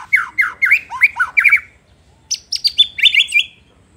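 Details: White-rumped shama singing a provocative song meant to anger other shamas: quick run of sharp rising-falling whistled notes, a short pause, then a higher series of bright chattering whistles.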